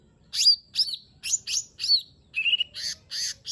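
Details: Lesser green leafbird song aimed at prompting a lazy bird to sing: a string of ringing, downward-curving whistles followed by a buzzy trill and harsh rasping notes.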